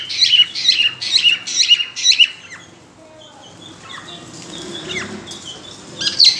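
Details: Cockatiel ready to breed giving quick repeated bright whistled chirps for two seconds, then a quieter stretch of scattered faint calls and rustling before one more chirp at the end.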